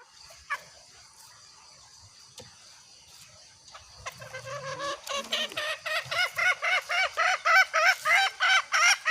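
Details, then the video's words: Female green junglefowl calling to draw males close, a loud, clear hunters' lure call: quiet at first, then a fast run of harsh, ringing notes repeated about three times a second, growing louder toward the end. "Masteran Ayam Hutan Hijau.. Kokok nyaring dan jerniih.. the sound of green jungle fowl.."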